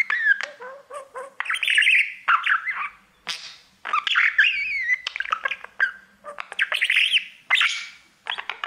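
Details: Pet budgerigar serenading its mirror with bursts of chirpy warbling, sharp clicks and wavering whistles separated by short gaps.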